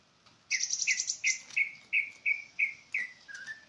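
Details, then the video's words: Bright, repeated bird chirps, each a short note with a higher overtone, come in a steady run of about ten, evenly spaced roughly every third of a second, over a quiet background. "Sound of bird"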